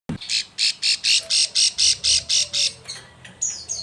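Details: Female Plain Prinia in breeding condition calling a male, used as a lure: a fast series of buzzy, harsh high notes, about four per second, then quieter scattered chips.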